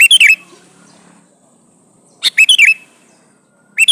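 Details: A calling male sooty-headed bulbul, seeking a female, sings short, cheerful, bubbly phrases of rapid chirps with a slurred whistled finish, separated by about two seconds of near silence.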